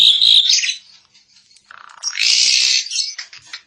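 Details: Jalak suren, an Asian pied starling, giving a bright trilled note followed by a low rasping buzz that rises into a loud harsh screech, ending with scratchy chatter.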